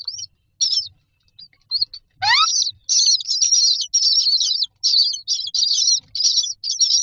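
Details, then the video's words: Common myna chicks in a nest box waiting to be fed: sparse chirps, then a sweeping rising squeal, followed by a sustained stretch of loud rasping begging calls. "Myna chicks are standing in a row waiting for food"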